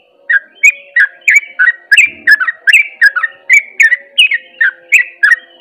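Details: Sooty-headed bulbul in fast ropel song style: a rapid, steady run of loud, bright, slurred chirps, about three per second, each sliding down in pitch, with a faint low hum beneath.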